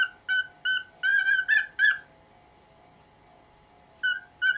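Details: A 19-year-old pet cockatiel calls in the morning to get the cover taken off its cage, giving a quick run of clear, rising whistled calls with two harsher screechy notes, falling silent for two seconds, then calling twice more.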